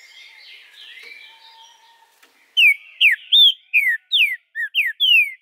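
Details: ['Green-winged saltator in captivity, Araruna, Paraná, Brazil, 2 August 2020, singing to spur other birds: soft background chatter, then a loud run of about eight clear whistled notes, each sliding downward.']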